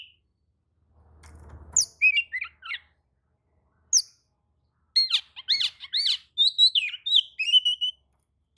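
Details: Oriental magpie-robin singing back, agitated, after hearing another magpie-robin's song; a low thump, then bursts of varied whistled and scratchy notes in quick runs with short pauses.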